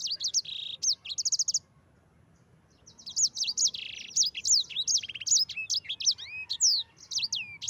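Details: A yellow-fronted canary delivering a rolling 'ngerol' song used to train other birds: rapid trill-like run of high notes, brief silence, then a long lively stream of bright whistles and descending slurs.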